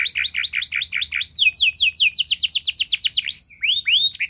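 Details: Canary song intended to make other canaries respond with song: quick repeated V-shaped chirps, a run of fast descending whistles, then scattered upswept slurs.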